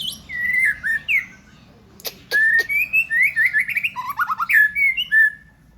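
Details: Varied white-rumped shama song mixing pure whistles, quick descending slurs and a rapid run of repeated notes, broken by a few sharp clicks near the start.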